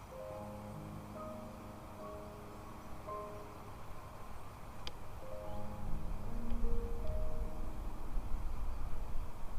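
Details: Sustained musical tones and low hum over a rising rumble, with one sharp tick near the middle and no animal calls.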